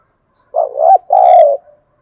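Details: Spotted dove decoy call, used to lure wild doves and stir them into calling: one low, mellow cooing phrase, a throaty double note followed by a longer drawn-out croo, in a quiet background.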